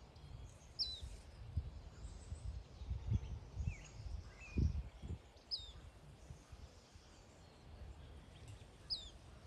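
A black phoebe gives sharp, high, downslurred chip notes at uneven intervals of one to two seconds over a heavy low rumble of wind or distant traffic.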